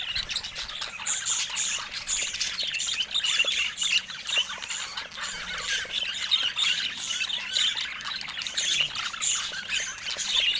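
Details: Several budgerigars chatter at once in a steady, high-pitched stream of scratchy chirps, squeaks and short squawks, with an even, unbroken density throughout.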